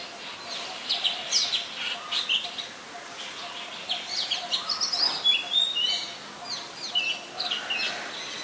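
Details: Oriental magpie-robin, a very common resident, singing in Ubon Ratchathani, Thailand, on 3 February 2023: scattered high whistled notes and sweeps in loose bursts over a steady hiss of background noise.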